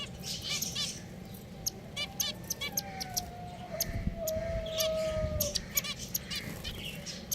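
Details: Pet finches chirp in short, sharp notes, sometimes in rapid clusters, while a long, smooth, steady whistled tone runs through the middle over low background hum.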